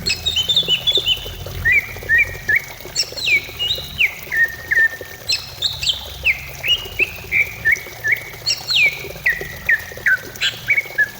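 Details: Greater green leafbird song intended to stimulate singing: long rich sequence of whistled phrases that start high and step down through repeated hooked notes, several cascades in succession, with low background hum.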